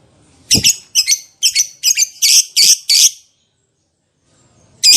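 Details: Caged lovebird used as a lure to provoke other lovebirds into answering: a run of seven harsh, buzzy high chirps over about two and a half seconds, then a pause and another chirp at the end.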